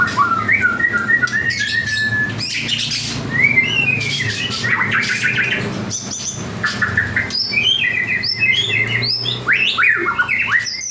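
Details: White-rumped shama, 'panda' type, singing actively: a rich run of varied whistled phrases, some rising and some falling, with short chirps and buzzy notes tumbling one after another over a steady background hiss.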